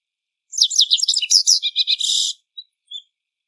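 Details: Japanese wagtail (Motacilla grandis), a riverside bird, gives a rapid, high twittering run of sharp chirps and trills, ending in a buzzy burst and two faint thin notes.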